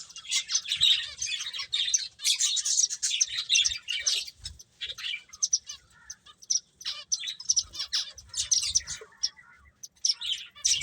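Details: Feeding finches chirp in thick overlapping bursts early on, thinning later into scattered short high chirps separated by quieter gaps.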